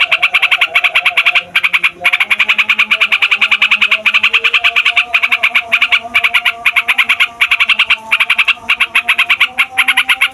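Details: Noisy yellow-vented bulbul delivering a long roll meant to provoke other songbirds and attract wild bulbuls: quick repeated rasping notes in sustained runs separated by brief breaks, soft low sliding tones in the background.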